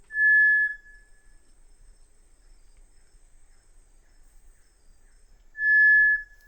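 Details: Black-capped tinamou, a shy bird of dense South American forests, said to have a melancholy song. Two long, steady, pure whistled notes sound about five seconds apart, with near silence between them.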